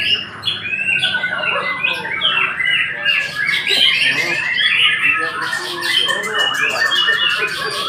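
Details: White-rumped shama giving a continuous rich song of rising and falling whistles, harsh chatters and quick rattling notes, loud throughout the eight seconds.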